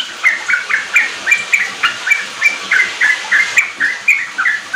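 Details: Singing sooty-headed bulbul from a lure track for young kept birds, aimed at quick riwik and ropel singing; brisk sequence of short downward-bending whistles, about four per second, against a faint hiss.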